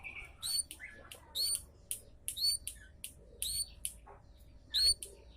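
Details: High-pitched Javan munia chirps used to lure birds: clipped, downslurred 'citt' notes repeated at uneven intervals across the stretch, set against a quiet background.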